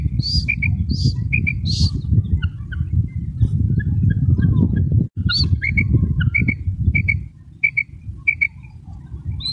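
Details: Female common quail from Pakistan giving sharp, high paired notes at regular intervals, after three louder higher whistled notes at the start, over a low rumbling background that drops away near the end.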